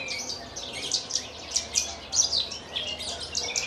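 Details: Caged Javan bush lark from Kulon Progo, Java, singing in its Jambul style. High chirps and slurred notes, scattered and varied, with several loud accents about every half second over a steady low hum.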